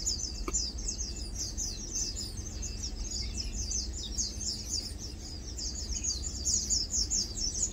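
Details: Lowland White-eyes (Zosterops meyeni) resting, feeding and preening; dense, rapid, high twittering from several birds runs steadily, with one sharp click early on and a steady low rumble beneath.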